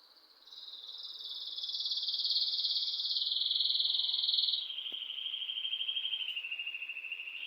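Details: Bird chirping indoors at home: a long, rapid, buzzy trill held at a high pitch for about four seconds, then dropping to a slightly lower steady trill until the end, with one brief click midway.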